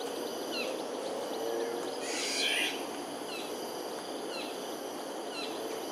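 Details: A bird at Ulu Pandan Park Connector, Singapore, on 25 April 2019 at 8:15 am gives short, high, downslurred chirps about once a second over steady background hiss, with one brief harsh rasping burst partway through.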